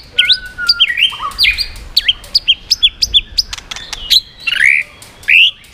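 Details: White-rumped shama in a provocative song with shifting voices and tail flicking to stir up rival birds: varied loud whistles, swooping down-and-up notes and sharp chips, changing pattern every second or so, ending in rising slurred phrases.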